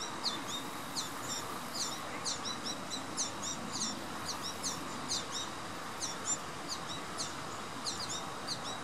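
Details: American goldfinch begging for food at Knoch Knolls Park, Naperville, Illinois, on 26 September 2015: rapid, high, thin chirps repeated several times a second in uneven bursts, over a steady rushing background hiss.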